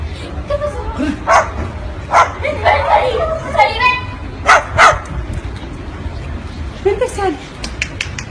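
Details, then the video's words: Parrot imitating a dog's bark: several sharp, barking bursts, some single and some in quick pairs, spread over about eight seconds alongside softer voiced and chattering sounds. "Smart parrot acting dog sound"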